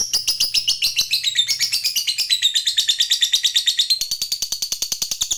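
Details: Long ngekek from a lovebird of the fighter type: a sustained, fast stream of shrill chattering notes, unbroken for over five seconds, wavering in pitch and rising toward the close, with a faint low hum beneath.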